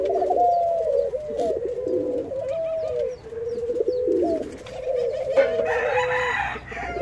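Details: During hand feeding, Jamaican white-crowned pigeons call almost continuously with stepped, wavering whistled notes that jump up and settle back down; some rustling noise late on.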